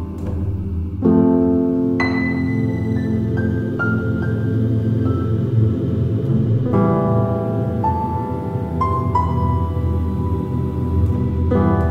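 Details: Gentle piano music plays with sustained chords and no animal sounds.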